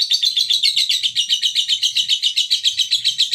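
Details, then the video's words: Male fighter lovebird used as a lure to set other lovebirds chattering (ngekek): a fast, harsh, buzzy chatter of rapid notes, about four to five per second, running steadily through the clip with no other sounds. "pancingan lovebird jantan fighter"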